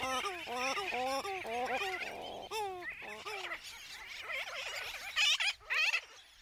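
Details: Christmas shearwater (ʻaoʻū) on Eastern Island, Papahānaumokuākea, Hawaii, where chicks shelter under naupaka, gives rapid, stuttering bursts of nasal, gobbling notes that waver up and down, answered by more wailing calls over a steady background hiss.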